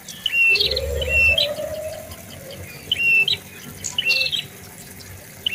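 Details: A prinia, a bird of bushes, low trees and gardens near houses, gives short, sharp, high chirps in quick bursts every second or so, over a steady hiss and a faint low rising tone.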